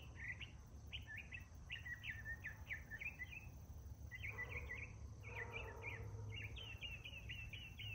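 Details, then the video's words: In the morning a male northern mockingbird runs through its songs, repeating short chirped notes several times in quick succession before shifting to a new phrase, over a constant low hum. "Northern Mockingbird Singing Multiple Morning Songs?"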